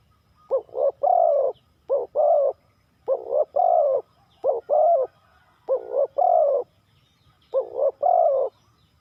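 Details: Spotted dove from Ninh Thuận giving the '3 kuk hoi' call style: soft hooting phrases of short notes ending in a longer wavering coo, six phrases at steady intervals, low background hum.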